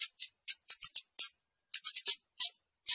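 Scarlet-backed flowerpecker giving very high, thin, clicking tsit notes in quick irregular bursts, with brief pauses between groups. Nothing else is heard.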